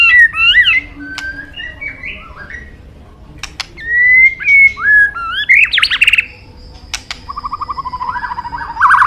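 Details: White-rumped shama in full song, a favourite of songbird enthusiasts: varied whistled phrases with quick upward and downward slurs, a few sharp clicks, a long thin high note, and a closing series of short repeated chattering notes.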